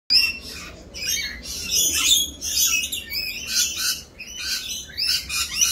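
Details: Rainbow lorikeets during mating season, more raucous than usual while doing their mating dance: dense, harsh, high screeching squawks overlapping almost continuously from several birds.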